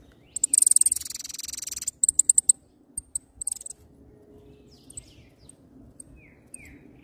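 Hooded Siskin giving a very high, buzzy rattling trill for over a second, then a few sharp twittered notes, with faint lower whistles and a low background hum.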